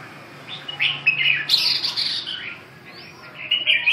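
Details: Red-whiskered bulbul (chào mào) singing short, bright warbled phrases of quick whistled notes, bursts coming in uneven clusters with brief pauses between them.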